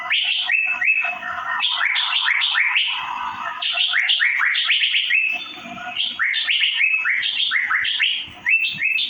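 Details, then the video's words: Asian fairy-bluebird chirping nearly nonstop: crowded upslurred notes sweeping upward in rapid succession, layered and reverberant, forming a continuous bubbling stream. "Birds Cirphing Master Sound Effect Cucak Biru/Irena Puella"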